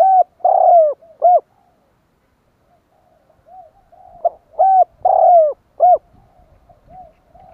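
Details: Spotted dove repeating its cooing phrase to lure wild doves: two sets of three hollow low coos, the middle note long and falling, separated by a quiet gap with soft murmuring coos and light knocks.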